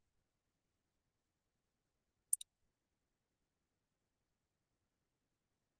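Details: Near silence broken by two quick, sharp clicks just past two seconds; no animal sound.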